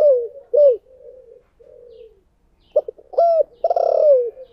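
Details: Spotted dove kept as a decoy, thổ-style voice: downward-bending loud coos, soft murmured cooing, then a rapid pair of short notes and a long rough falling coo.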